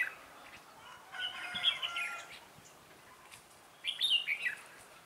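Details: Trainee decoy red-whiskered bulbul in a trapping session on 11/12/2016 sings to call in wild birds: a warbled phrase of rapid slurred notes, a pause of about two seconds, then another bright rising-falling phrase.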